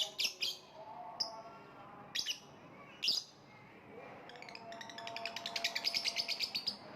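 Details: Lovebird calling with sharp, high chirps in short bursts, then a fast rattling series of rapid chirps building toward the end; faint steady tonal hum lower down throughout.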